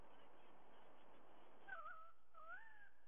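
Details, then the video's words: White-bellied sea eagle at a Sydney nest, 30 September 2022, 05:44 early morning, caught on a nest camera: two faint, nasal, wavering honks about a second apart above a constant low background hum. "Sydney White-Bellied Sea-Eagle"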